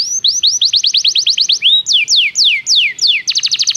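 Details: Belgian canary song for training young canaries: rapid repeated downward-slurred whistles, a few slower deep swoops, then a quick high trill at the end.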